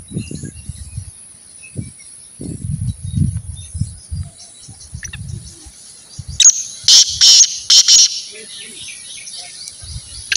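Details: Partridge being trained to call more: a short run of loud, harsh, broadband bursts around seven to eight seconds, preceded by low murmuring voices and handling noise, with a steady faint hiss throughout.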